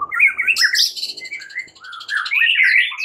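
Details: Loud, varied warbling from a white-rumped shama at morning, a fighting-style song, with slurred whistles, harsh chattering and rising phrases that run together.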